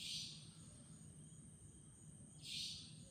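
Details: Savanna nightjar calling at Chunghsing New Village, Nantou, Taiwan, on 11 April 2018: two harsh, hissing buzzy notes about two and a half seconds apart, over a steady low rumble of background noise.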